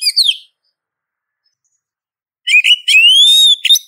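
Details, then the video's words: Oriental magpie-robin, a female calling for a male, lure sound: a short descending note, a pause of about two seconds, then chattering whistles and one long, drawn-out rising whistle. "Suara Pancingan Sekaligus Terapi Kacer Betina Memanggil Jantan"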